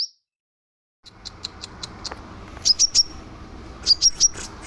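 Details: Scarlet minivet singing lively, kept as a model for training other birds: after a second of silence, faint ticking notes lead into two short runs of three high, clear whistles each, over a low background hiss.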